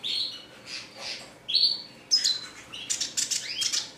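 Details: Caged red siskin singing continuously in a classic style, with high thin whistled notes, slurred rising tones and quick buzzy chirps, delivered in short bursts with brief pauses between them.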